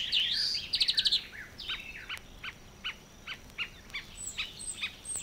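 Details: Song of a Marsh Warbler from Matsalu's water-meadows and coastal pastures, opening with a loud buzzy trill and a stuttering burst, then spaced sharp chips and short whistled notes.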